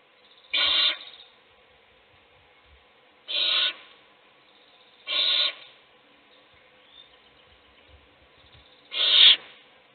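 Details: Owl at a nest box feeding a chick, other chicks asleep: four short, harsh hissing screeches spread over ten seconds, roughly every two to three seconds, with soft thumps between.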